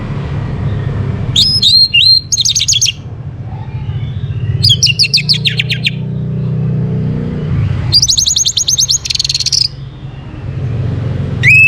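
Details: Morning recording of Orange-headed thrush song for stimulating breeding condition: three dense bursts of rapid, trilled, high whistled notes separated by pauses, with passing-car noise rising between them.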